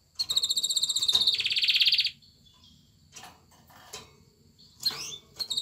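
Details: A male canary courting a female to stimulate mating sings a fast, high trill that runs into a dense, buzzy rolling tour, then pauses before a few sharp rising whistles.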